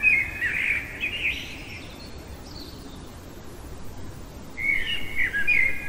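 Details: Common blackbird singing deep in the night, giving a warbling, mellow whistled phrase, then a long quiet gap before another fluty, twittering phrase starts; constant low rumble underneath.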